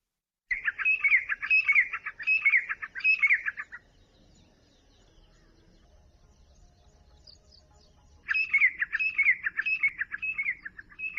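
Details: Grey francolin (Ortygornis pondicerianus) at daybreak gives its rising call, claiming its nightly roost before setting out to feed: two bouts of loud, ringing, high triple-note phrases about twice a second, separated by a pause.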